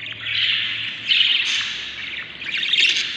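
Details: Inside a Budgerigar breeding nest with seven babies, day 38; continuous scratchy rasping calls, rising in intensity around one second and again near the end.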